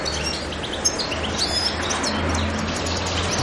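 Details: European goldfinch on Pantelleria island, 02/01/2011; thin high twittering and tinkling chirps, fainter and partly masked by a steady low hum and background noise, with one sharp louder note near the start.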